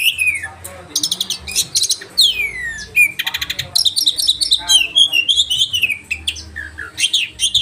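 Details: Caged oriental magpie-robin delivering sharp 'roll tembakan' song for training birds, full of quick buzzy bursts, downsweeping whistles and rapid repeated notes in a varied, busy sequence.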